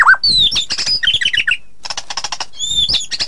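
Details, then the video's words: A White-rumped shama's rich, varied song: clear whistled slurs, quick chattering notes and rapid buzzy bursts, changing phrase every second or so. "Suara burung murai batu"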